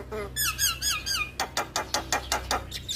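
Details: Male Javan myna singing actively so that other mynas join in: a quick series of squeaky rising-and-falling whistles gives way to harsh, broad chattering notes repeated about five times a second, with a faint steady hum beneath.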